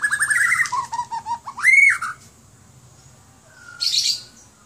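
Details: Kept White-rumped shama in Aceh, Indonesia, giving a quick trill and a series of descending whistled notes, then one strong upswept whistle, followed by quiet and a burst of higher rustling noise.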